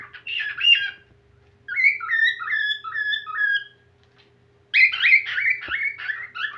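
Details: Whistled song from a whiteface cockatiel that is starting to sing again, with an opening warble, a phrase of descending smooth whistles, a short silence, and a final run of rapid, bouncing notes.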